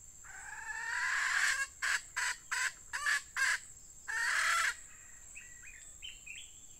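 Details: A red junglefowl decoy hen, used to lure wild birds on a rainy day, gives a drawn-out nasal call, five quick clipped notes, then another long call, over a steady high hiss with faint chirps at the end.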